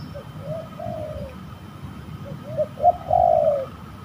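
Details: Spotted dove in Indonesia, cooing while fighting during a bird-trapping outing at a spooky-seeming site; soft hooting coos, two short phrases, then a louder drawn-out coo, over a low rumbling background.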